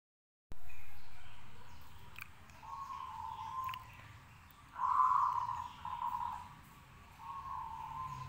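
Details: Local zebra dove singing steadily to prompt other doves to answer: three cooing, trilled phrases near one pitch, each about a second long, separated by short pauses, with a low rumble beneath.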